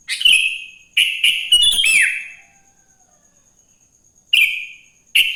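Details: Morning song of a sooty-headed bulbul, used as a lure so other bulbuls sing. A rapid run of bright chirps ends in a falling whistle, followed by a pause and two further short chirps.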